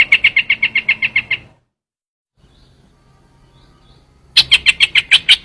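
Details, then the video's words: Trao trảo bird used for luring, giving two bursts of rapid high chirps separated by a few seconds of near silence, notes evenly spaced and sharp, with faint low background hum. "tiếng chim trao trảo"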